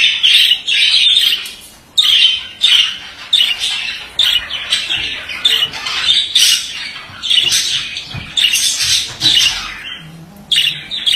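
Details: Male budgerigar in long run of raspy warbled phrases, repeated rapid bursts of chatter and squeaks separated by short pauses, lively and uninterrupted over eleven seconds.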